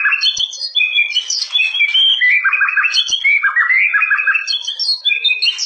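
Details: White-rumped shama, a 'fighter' type with various fighting styles, delivering an unbroken, loud medley of bright whistles, twittering trills and chattering notes, with two faint clicks.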